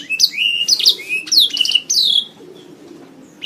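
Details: Canary song from a songbird training master: a few loud, ringing phrases of rising and falling whistles and a drawn-out sweeping note, followed by a second of near silence.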